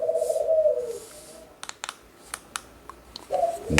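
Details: Pet birds kept by the household coo in the background indoors: low, smooth, steady coos at the start and again near the end, with sharp clicks and taps from handling equipment in between.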